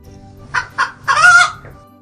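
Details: A hen (Gallus gallus domesticus) cackles: two short clucks, then a longer, drawn-out nasal squawk, over a faint low hum.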